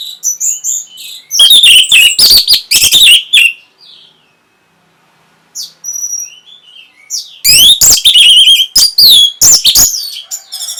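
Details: Orange-headed thrush in breeding-stimulation song: two long bursts of fast, loud, varied notes mixing harsh clicks and slurred whistles, separated by a quiet gap with a few faint high whistles.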